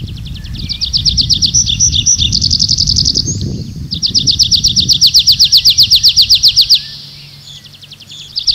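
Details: Nightingale singing at night in a forest, delivering long rapid high trills of evenly repeated notes, broken by brief whistles and pauses, with a low rumbling background.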